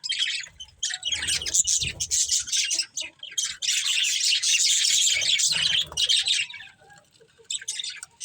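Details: Pet budgerigar breeding pair giving loud, harsh, scratchy squawking chatter that swells into a sustained run of raspy high notes before trailing off into sparse chirps.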